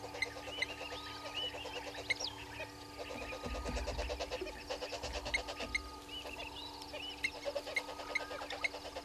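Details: Several red-billed hornbills below a waterhole camera at Gowrie dam, Djuma Game Reserve, South Africa, early morning 06:32, 03/07/2022: bursts of fast, even clucking notes in long rattling series, with high whistles, chirps and a low rumble from other sources.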